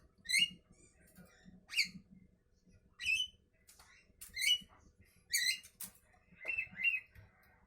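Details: Javan myna calling in the morning with loud, grating squawks roughly every second, ending in a pair of quicker chattering notes. Soft low tapping is heard in the background.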